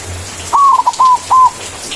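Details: A white zebra dove gives one clear manggung phrase, its song for calling a rival and used as a lure: a drawn-out mellow coo, two quick catches, then two held flute-like notes.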